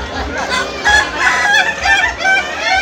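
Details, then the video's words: Ayam ketawa, the Indonesian laughing chicken, competing in a contest final: short, loud, pulsing crows rise and fall in a rapid laugh-like rhythm, with a crowd chattering behind. "Kontes ayam ketawa"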